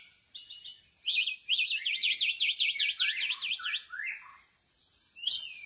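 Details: White-rumped shama set out as a lure in a bamboo forest, singing a fast run of about a dozen sharp, repeated V-shaped whistles, then lower slurred notes and a final bright rising squeak.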